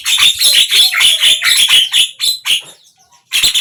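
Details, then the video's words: Javan myna song, morning to evening: dense, harsh chatter of raspy notes in quick succession for nearly three seconds, a short lull with faint whistles, then another scratchy burst. "Jalak kebo ,pagi, siang,sore"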